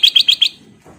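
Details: Golden-coloured Sooty-headed bulbul (kutilang emas) singing lively: four quick bright whistled notes near the same pitch, about eight per second, then quiet with faint low background rumble.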